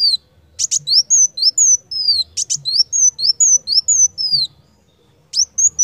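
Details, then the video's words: Van Hasselt's sunbird (kolibri wulung) singing vigorously, recorded as a training song: a string of thin, high, downslurred whistles interspersed with sharp, very high ticks, with a short pause before the song resumes. A faint low hum sits underneath. "KOLIBRI WULUNG GACOR"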